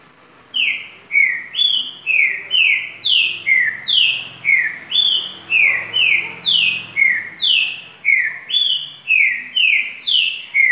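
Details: Green-winged saltator delivering a long virador song: about twenty loud, clean whistled notes sliding downward, repeated roughly twice per second in a rolling pattern of alternating higher and lower notes, with a quiet background.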